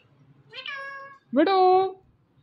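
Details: An Indian ringneck parakeet talks in two drawn-out, nasal, speech-like syllables. The first is softer and level. The second starts with an upward swoop and ends louder and held. The room is otherwise quiet with a faint low hum.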